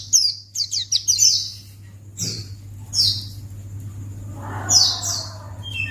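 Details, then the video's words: Lure calls of a white-eye: a quick cluster of high chirps at the start, then isolated bright downslurred notes, with a brief lower murmur and a background hum. "Pleci Akan Langsung Merespon Memancing Bunyi Burung Pleci"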